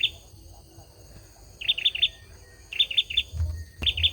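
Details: Olive-backed sunbird, a male, singing three phrases of three rapid, bright notes after a quiet start, with a sharp click near the end and faint low hum.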